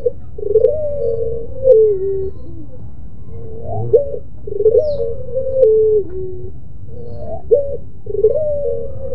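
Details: A puter pelung dove gives its moaning song: clusters of wavering, long mid-pitched notes with quick upward hooks, repeated every couple of seconds above a low steady hum.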